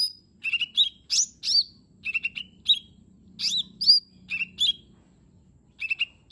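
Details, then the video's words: Lesser green leafbird in full song, used as a lure to get a reluctant bird singing: short bursts of bright whistled and rasping notes, some sliding downward, in clusters separated by brief pauses. "Cucak Ijo Mini 💯 Nembak Isian Bagus Buat Pancingan Jomin Malas Bunyi Agar Cepat Gacor"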